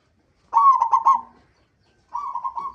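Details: Local zebra dove singing as a lure sound to set other zebra doves calling: a loud rolling burst of clipped coos, a pause, then a softer even trill.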